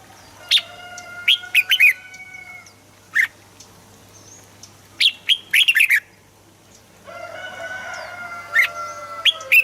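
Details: Red-whiskered bulbul singing, used to excite birds into song: loud clipped chirp bursts of three to five quick notes spaced a few seconds apart, with a steady tonal hum and faint whistled background birds.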